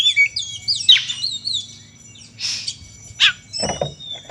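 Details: Oriental magpie-robin, a fighting song used to provoke other birds into singing: high whistled slurs and quick sharp chirps, then harsh raspy bursts toward the end, over a low steady hum.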